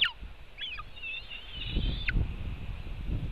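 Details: White-tailed eagle at a nest in Latvia, filmed by webcam on 4 July 2018 at 5:08 pm while one bird takes part of a fish from another; one drawn-out thin whistle with brief slurred notes, over low background rumble.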